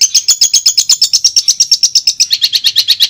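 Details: A tutor recording of the Madura long-tailed shrike gives a fast, steady series of bright chipping notes, about three per second, shifting slightly lower in pitch toward the end.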